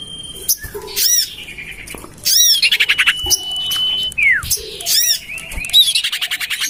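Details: Lure call of the common iora, tested in a garden near a house to draw birds in: harsh rasping squawks, a long level whistle dropping into a steep slur, and fast chattering notes.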